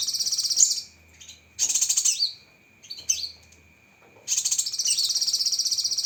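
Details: Cucak kinoi with a full sharp 'tembakan' fill: fast pulsed high trills, twisting whistled slurs, then a long closing trill of quick, even beats nearly two seconds long.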